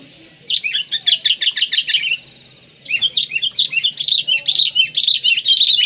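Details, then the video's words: Sooty-headed bulbul in a full-isian training song recording, described as very vocal: a fast burst of sharp, chattering notes, a one-second pause, then a longer, lively stream of bright chirps and warbles. "MASTERAN FULL ISIAN KUTILANG KAPAS"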